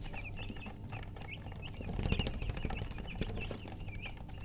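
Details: Just-hatched chicken chicks giving scattered high peeps, fainter and more spaced, with a louder rustle midway over a steady low background hum.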